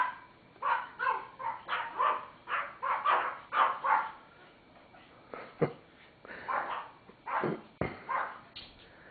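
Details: A pet cockatoo imitates dog barks in hoarse, repeated bursts, barking along with the household's real Teacup Pomeranians.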